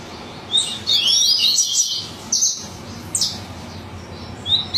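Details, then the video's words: Yellow-bellied seedeater of the Bahian coleiro type singing wildly: one loud, jumbled burst of shrill sweeping notes, then a few short isolated high chirps spaced about a second apart. "Coleiro Baiano Alucinado"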